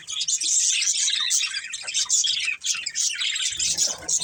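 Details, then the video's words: A budgie family chirping: bright, rapid twitters and short squeaky notes pouring out together, with a faint low rumble near the end. "Cute Budgies Chirping Sounds"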